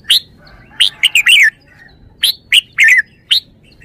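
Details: Red-whiskered bulbul singing clear, chirpy warbled phrases, two quick bursts of several lilting notes, each note bright and sliding, with brief gaps between.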